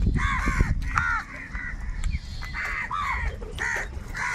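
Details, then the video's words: A large crowd of crows competing for food, with rasping caws repeated roughly twice a second and overlapping voices above a heavy low rumble. "kaka sound and noises of crow birds | Huge numbers of crows crowing and crying sounds"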